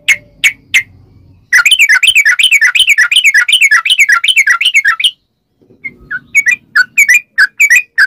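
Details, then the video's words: Sooty-headed bulbul song used as a lure to make other bulbuls sing: a few bubbly notes, then a long rapid run of rising-falling whistled notes, then scattered clipped notes after a brief pause. "trucukan gacor ROPEL PANJANG buat pancingan trucukan agar bunyi"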